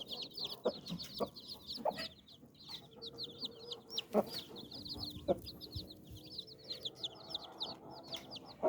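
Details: Mother hen gathering her nine chicks under her wings for safety or sleep: short, low clucks repeat every second or so while the chicks keep up a busy, high-pitched peeping.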